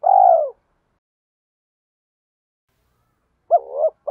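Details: Spotted dove kept as a decoy bird: the tail of a long falling coo, a long silence, then a short hoarse rising coo near the end.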